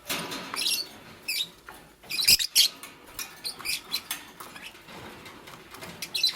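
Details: Green Fischer's lovebird kept with a pastel bird, chirping while making a nest in the morning; short bright high chirps in irregular bursts amid rustling and scratching of nest material.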